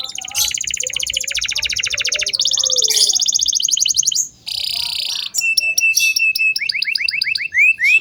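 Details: Canary tutor song for young birds: dense high buzzy trills shifting tour after tour, a brief pause, then a run of quick rising-and-falling whistled notes.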